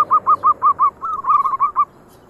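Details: Local zebra doves cooing: a series of six loud, evenly spaced rolling notes, then a second bird's quicker overlapping phrase of soft purring coos.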